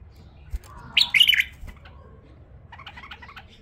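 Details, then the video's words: Tame female bulbul singing one short, bright warbled phrase of quick chirpy notes, followed by softer, fainter twittering notes against a quiet indoor background. "نثيه اليفه تغريد رهيب"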